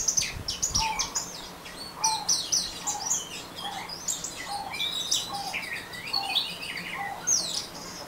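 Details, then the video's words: Orange-headed thrush in fast ngeriwik song, thick with high twitters and whistles, while a lower short note recurs roughly every second beneath it. "Anis Merah Ngeriwik"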